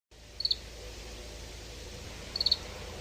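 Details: Oriental greenfinch giving two short, high, rattling twitters of several quick pulses, about two seconds apart, over steady hiss.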